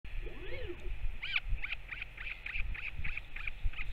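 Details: Northern royal albatross recorded 21 May 2024 as a parent returns to feed its chick; two descending arched wails open, followed by a run of short high peeping chirps about three per second, over low wind rumble.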